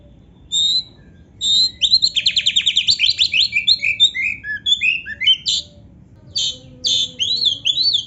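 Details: Oriental magpie-robin singing actively, a master recording with full fill-ins of canary phrases: bursts of fast buzzy trills and rapid repeated notes, then sweeping whistled slurs and chattering phrases separated by short pauses.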